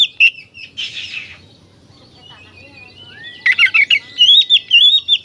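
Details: Oriental magpie-robin song for provoking other magpie-robins into excitement and tail-opening: a harsh rasp and short notes, a quiet pause, then a rapid run of bright warbled whistles.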